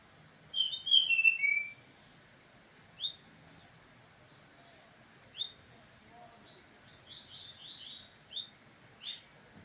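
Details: Pet double-collared seedeater in brown plumage sings opposite another brown one: an opening cascade of bright, high slurred whistles, followed by scattered single sharp chirps and a short final flurry of high notes spaced a second or two apart.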